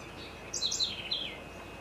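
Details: Bem-te-vi, the great kiskadee, calling in Florianópolis, Santa Catarina, Brazil. One strident three-part phrase with bright, shrill notes that slide downward, the last note drawn out. It sounds over a faint constant hum.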